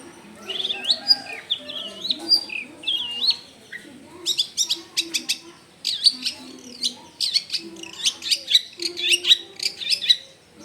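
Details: Long-tailed shrike, a chattering songster rich in varied filler phrases, recorded at home in a densely populated neighbourhood. It gives sliding whistles and scratchy notes, then rapid runs of sharp, clipped chips. A faint low hum runs underneath.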